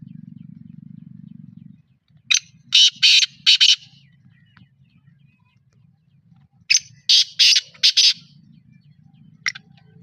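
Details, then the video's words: Two loud, grating calls of a black francolin in Pakistan, each a tight cluster of about four scratchy notes, a few seconds apart, followed by a brief lone note, over a faint low hum. "kala teetar ki awaz"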